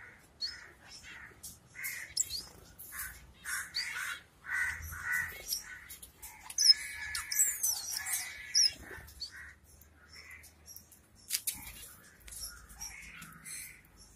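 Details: Kerala finch collection of zebra, Bengali and yellow-necked finches, with a steady series of short nasal beeping calls about every two seconds, mixed with sharp high chirps and scattered twitters.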